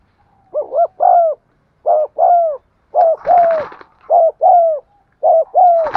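A spotted dove gives soft, low paired coos, a brief note followed by a longer one, repeated steadily.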